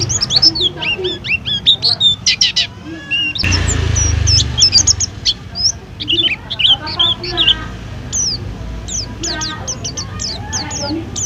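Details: Pleci, a white-eye kept at a roadside food stall, sings a dense, chattering run of high, thin chirps and quick slurred whistles. A brief loud rushing noise cuts in midway, with faint voices in the background.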